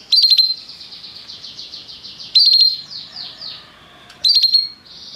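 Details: Canary singing restlessly: short bright trilled bursts of very high notes return about every two seconds, linked by softer rapid downslurred chirps in between.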